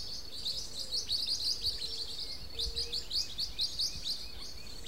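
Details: Steady chatter of high, squeaky twitters from Blue-winged parrotlet, pulsing in short clusters roughly every third of a second, with faint low tones and light background noise beneath.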